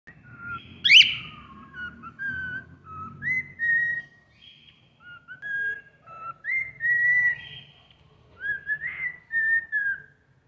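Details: Cockatiel whistling the tune of Happy Birthday: clear whistled notes that rise and fall in short phrases, with a brief harsh squawk near the start and pauses between phrases, over a faint low background hum.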